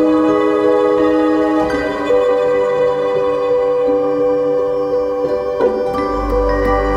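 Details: Soft mallet-percussion music with sustained bell-like tones plays throughout, and no animal sounds can be heard.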